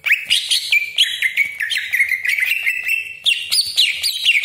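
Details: Greater green leafbird, a kept bird used as a lure to provoke other leafbirds at home or in contests, singing a loud varied torrent of whistled and buzzy notes, rapid slurred phrases with harsh rasping bursts, continuous throughout.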